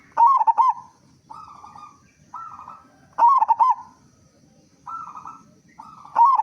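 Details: Local zebra dove with a loud, big voice, singing actively, used as a lure to get other zebra doves singing quickly: loud bursts of rapid pulsed cooing notes roughly every three seconds, alternating with softer, steadier drawn-out phrases over a faint low rumble.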